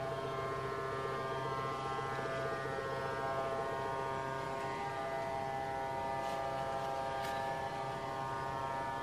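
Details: Continuous mechanical drone with a layered harmonic hum and two brief noise bursts near the end, no animal voice audible.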